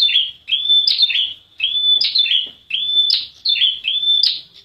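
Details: Prinia calling, played as a lure to prompt other prinias to call quickly: clear, high notes with a short level whistle and quick flicked chirps, in bursts repeating roughly every second, with no other sounds.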